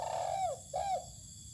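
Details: Spotted dove set out to sun in open land, giving two soft, hollow coos, each a level note that slides downward at its end, split by a short gap, with a faint background hum.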